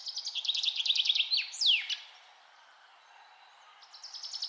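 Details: A bird delivers a rapid rattling series of high notes ending in a loud descending sweep. After a quiet stretch, the next phrase starts faintly at the end.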